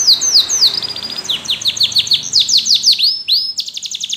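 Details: Yellow canary song of fast repeated downward-sweeping notes in quick series, shifting to a steady high whistle and then a rapid dry trill, loud and clear with little background.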